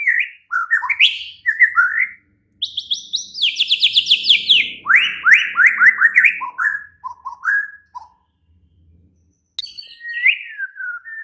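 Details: Shama lure song for night use, to get a caged bird answering and singing openly: whistled phrases, then a long series of high descending notes flowing into rapid repeated down-sweeping whistles, a pause, then more phrases.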